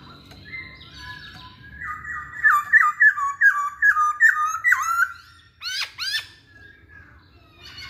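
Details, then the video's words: Masked laughingthrush in energetic song, used to stir other birds into singing: a steady series of about ten loud, ringing, stepped whistled notes, then two sharp high sweeping chirps. "Burung Poksay Hongkong Gacor"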